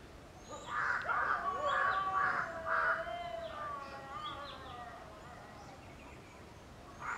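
Jungle owlet giving five quick, hoarse, ringing notes about two per second, trailing into softer tones. Thin high calls of other birds are faintly heard.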